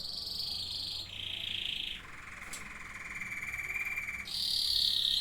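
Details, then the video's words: Singing canaries: long, even rolling trills that step between pitches, a high trill, a lower one, then a deeper sustained roll before returning to a bright high trill. "Singing canaries."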